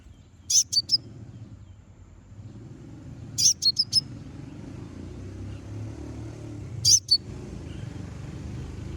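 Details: Konin provoking song: three separate bursts of two or three shrill, high chips, about three seconds apart, over a low rumble.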